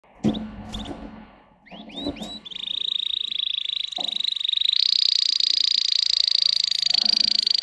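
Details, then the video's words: Green canary of a Russian singing strain bred for song, indoors; a few sharp chirps and rising whistled notes, then a long, loud, even trill held for several seconds, with low background thumps and handling noise early on. "Best canary singing in FullHD ( Green canary )"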